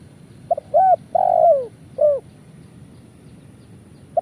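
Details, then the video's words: Cooing of a spotted dove, a lure sound for bird trapping in Indonesia: two short coos, a long falling rolled coo and another short note, then a pause before the next phrase begins. "Suara Burung Tekukur kuk 1"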